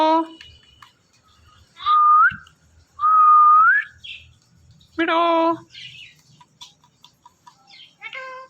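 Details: Morning calling from a male and female Indian ringneck parrot pair: two long upward-sliding whistles, then a short harsh harmonic squawk, followed by scattered brief chirps and clicks.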